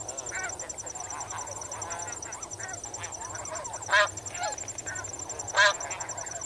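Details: Snow geese calling while they swim and wade, close by: soft chattering honks from many birds, with two prominent loud calls about one and a half seconds apart, and crickets pulsing in the background.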